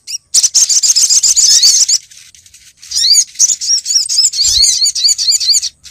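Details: Female Brown-throated Sunbird calling to attract males, played as a lure: a fast, dense chatter of high notes for about two seconds, then a quieter stretch of rising, looping chirps.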